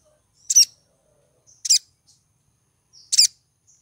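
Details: Female crimson sunbird in breeding condition calling to attract a male: three sharp, very high chips, each a brief bright burst, spaced about one to one and a half seconds apart against a silent background.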